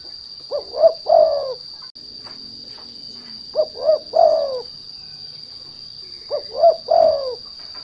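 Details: Spotted dove (derkuku) lure recording meant to draw song from untrained doves: repeated coo phrases, two clipped notes followed by a long descending coo, about every three seconds, with a persistent high tone.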